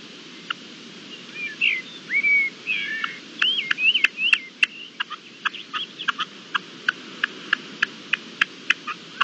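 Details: Red-legged partridge, recorded 25 April 2021: a few slurred whistled notes followed by a long series of sharp clicking ticks repeated about every half second.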